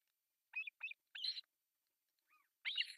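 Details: Three osprey chicks begging at breakfast feeding on an artificial nest in Pohjois Satakunta, Finland, July 1, 2024; short high harsh chirps come in a quick run of three, then a pause and one louder, longer grating burst.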